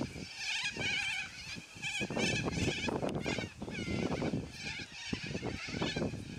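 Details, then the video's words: Loud squawking from a noisy yellow-crested cockatoo flock: hoarse, scraping cries layered over one another, with strong low-pitched thuds and rumble mixed throughout. "Noisy Yellow Crested Cockatoos Take Over!"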